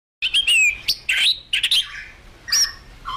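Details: White-rumped shama singing energetically and continuously, a bright run of clear, high whistles and sharp slurred notes with brief pauses between phrases.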